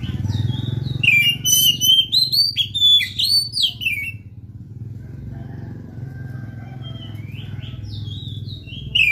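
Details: Vigorous Oriental magpie-robin song, played to encourage a silent magpie-robin; fast varied whistles and sharp chirps for four seconds, then scattered quieter notes over a steady low engine rumble.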